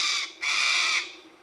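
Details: In dry brigalow woodland in fine weather, a Little Corella, possibly guarding a nest hollow, gives two harsh, rasping contact screeches, a brief one then a longer half-second one; little else is heard.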